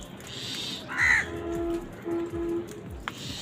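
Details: A crow eating, said to be angry while competing for food, gives one loud, harsh, drawn caw near the start, then faint buzzy sounds over a noisy background.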